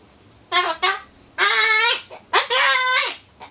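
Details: Captive Solomons corella chattering alone in a room as it waits for its pumpkin treat. Two short clipped syllables are followed by two longer, harsh, nasal word-like phrases with falling ends.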